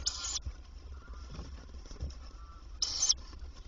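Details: Daytime at a tawny owl nest box, 27 May 2023, as the female comes to feed her young: two loud, rasping hiss bursts several seconds apart over low scraping and rustling.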